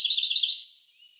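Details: Siberian blue robin singing a quick, high, rattling trill of about five rapid notes over half a second, then fading into quiet.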